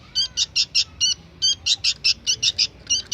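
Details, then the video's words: Young sooty-headed bulbul singing actively: a run of about fourteen short, high, bright chirps in quick uneven succession, each a tight doubled note, over a quiet low hum. "burung kutilang anakan gacor"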